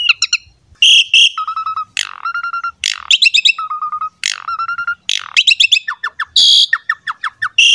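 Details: Asian pied starling singing a training song for young and freshly caught birds, alternating steady low whistled tones with harsh buzzy bursts and quick chirp clusters in repeating phrases.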